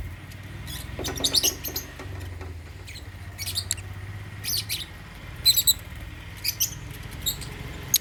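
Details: African lovebirds in a cage at meal time, eating holy basil, giving frequent short piercing chirps in irregular clusters across eight seconds, with a low hum running beneath.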